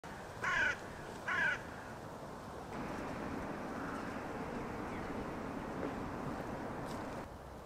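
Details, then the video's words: A hooded crow (Corvus cornix) in Tallinn, Estonia, in October 2024, gives two harsh, hoarse caws less than a second apart, then falls silent over a steady hum of traffic. "Hallvares Corvus cornix"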